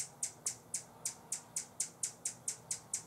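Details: A buff-bellied hummingbird guarding a feeder in San Benito, Texas, on 25 October 2014 gives a warning call: a fast series of sharp, very high, hard dry ticks, about four a second, over a quiet background.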